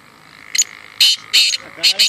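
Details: Black francolin calling at a calling tournament: harsh, grating, buzzy bursts, a short note followed by several longer rasping notes within two seconds, with faint men's voices beneath.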